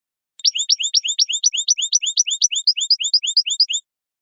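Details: European goldfinch, the royal goldfinch, singing faultlessly as a model for young birds: a continuous, even trill of about three and a half seconds made of repeated rising and falling high notes, crisp and clean.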